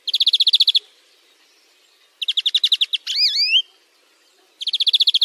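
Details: European greenfinch (Chloris chloris) in a song-training recording: fast, high, ringing trills repeated in short bursts, with a wheezy, wavering rising note in the middle. No other sounds.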